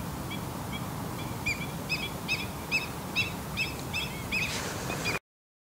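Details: Grey wagtail at Salinas y Arenales de San Pedro del Pinatar Regional Park in Murcia, Spain, caught on a Sony HDR-CX155E camcorder: sharp, high double notes repeated rapidly, roughly twice a second, over steady outdoor rumble and hiss, then an abrupt cut.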